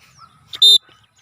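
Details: Cockatiel on its first free flight, giving a single brief, loud, grating shriek that is preceded by a quieter short note, with faint soft chirps around it.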